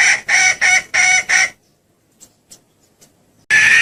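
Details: Hen red junglefowl call used to attract males: five loud, raspy clucks in quick succession, a near-silent pause, then another harsh cluck begins.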